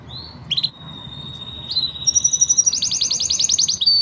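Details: Five canary birds in a training song: a long steady high whistle held for about two seconds, then a brief higher tone and a fast buzzy trill of rapidly repeated notes near the end.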